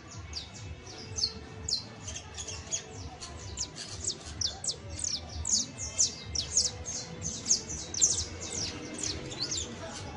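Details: Saffron finch song meant to help a captive canario basto criollo learn: quick, high, sharply falling chirps, roughly two per second, packed together and growing louder midway, with faint background hum.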